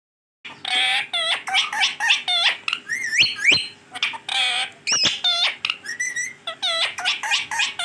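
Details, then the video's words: Pet green ringneck parrot talking: a dense run of harsh, harmonic-rich squawks and chattering word-like syllables, some with rising whistled inflections, following one another almost without pause. "boline wala tota😍 check karen kitne words bol Raha he full Talking of my parrot"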